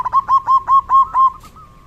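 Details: Rainy-season song of a zebra dove: five or six evenly spaced, soft rolling coos delivered quickly, ending in a slight upturned note.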